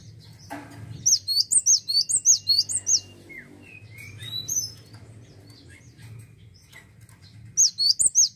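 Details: Gelatik watu, the Cinereous tit, in strong song: a quick train of high, twisting notes over two seconds, then scattered lower chirps and silence before another rapid burst closes it.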